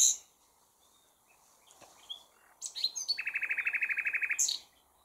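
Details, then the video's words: A common nightingale, partly hidden but seen, sings a phrase: high piping whistles, then a fast, rattling run of about twenty identical notes and a sharp closing whistle. "Chant du ROSSIGNOL PHILOMELE"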